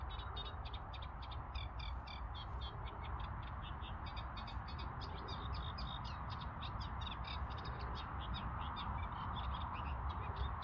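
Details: Reed warbler singing at Crossness Southern Marsh, London, on 12 April 2021: a steady, chattering stream of scratchy notes repeated in rhythmic pairs and triplets, over a constant loud low rumble of background noise.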